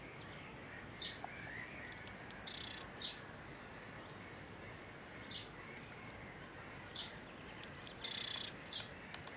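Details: Willow tit coming to a feeder at the RSPB Ken Dee Marshes reserve, Dumfries & Galloway, giving thin, high single notes at scattered intervals and two short buzzy bursts a few seconds apart, over a faint steady hiss.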